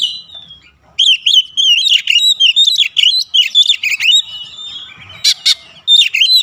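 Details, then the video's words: Oriental magpie-robin singing a long series of rapid looping whistled notes, repeated several per second, then softer notes with harsh rasps and a brief return to whistling. "Kacer manapun dijamin cepat buka suara"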